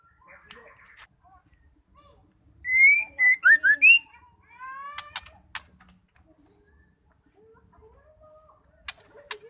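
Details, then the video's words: Female white-rumped shama call meant to spur male shamas to sing. Scattered sharp clicks lead into one burst of clear whistled notes, some rising and some falling, followed by more clicks and near silence. "Murai betina gacor bikin murai stres nglowo LANGSUNG nyaut bunyi"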